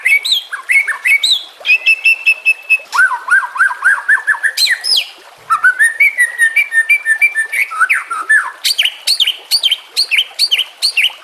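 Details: White-rumped shama masteran for training other birds, over nature sounds and trickling water: lively, varied song of whistled slurs, repeated fluty notes and fast twittering runs, delivered in continuous phrases with one short pause.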